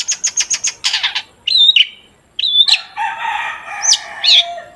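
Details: Long-tailed shrike song used as a lure to get shrikes singing: five evenly spaced high chips, a scratchy burst, then wavering whistled notes and a drawn-out harsh buzzy tone.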